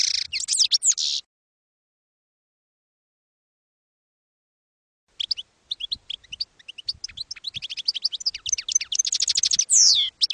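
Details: European goldfinch song in the campero style, for training young birds: a short dense buzzy twitter, four seconds of quiet, then spaced chirps speeding into a rapid tinkling trill ending with a slurred note.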